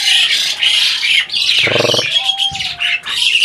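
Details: Talking adult Asian pied starling giving loud, grating, squawky high phrases almost without pause, with a thin sustained whistle and a brief low harmonic burst resembling a spoken syllable.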